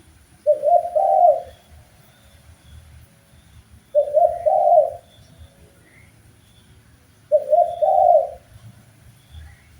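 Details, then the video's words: Spotted dove song used to train and stimulate birds: three evenly spaced low coo phrases, each a quick stutter of soft notes ending in a fuller hoot, roughly every three and a half seconds; faint background hum. "MASTERAN BUAT BURUNG TEKUKUR SUPAYA GAC0R DAN BERGAIR4H‼️Wajib Respon"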